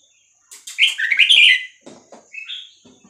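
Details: Red-whiskered bulbul of the Vietnamese type in a cage, song meant to teach young birds and make them lively; a rich warbled phrase of fluty notes, then lower clucks and a short whistle.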